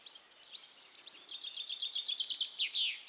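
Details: Singing European goldfinch in Côtes d'Armor, Brittany, France, June 2012: soft twittering opening into quick repeated tinkling notes, then a couple of slurred buzzy flourishes at the end.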